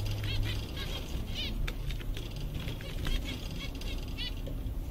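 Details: Zebra finches, a group of seven contented on a summer day, trading bursts of nasal, slightly rising calls, some in close clusters, with a continuous low background rumble.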